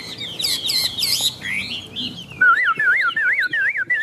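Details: Caged Chinese hwamei singing while rain falls. Rich, fluty phrases tumble rapidly, then settle into a rhythmic string of wavy, rolling whistles, each lasting about a quarter second.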